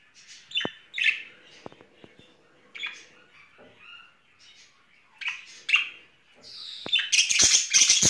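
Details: Budgerigar courting pair in spring, kept as pets: scattered sharp chirps and short squawks, with a denser burst of harsh chattering near the end.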